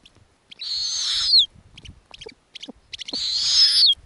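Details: Snowy owl owlets on the nest in the Arctic, fed lemmings by the mother: a long hissing screech ending in a falling whistle, then scattered clicks and short squeaks, then a second, louder screech.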